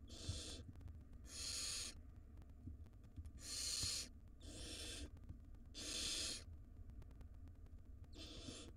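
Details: Wild barn owl young in a monitored nest box begging as the mother delivers rodents; rhythmic raspy hisses about every second and a half, each half a second long, over a low steady hum.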